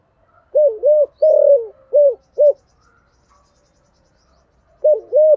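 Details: Spotted dove calling in 'giọng thổ' voice, a lure and a new wild bird eager to call all day; a phrase of five mellow low coos with a long sliding note, a quiet pause, then the next phrase beginning.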